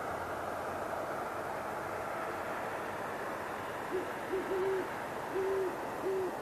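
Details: A great horned owl couple in a tree near Boulder, Colorado, after dark on 21 January 2016, trade deep soft hoots in a stuttering series, a short note then longer drawn hoots, over steady rushing hiss.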